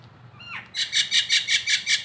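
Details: Nias hill myna, local Indonesian bird, as a song-tutor recording: a soft rising slur, then a harsh buzzy phrase repeated about every fifth of a second, loud and rasping.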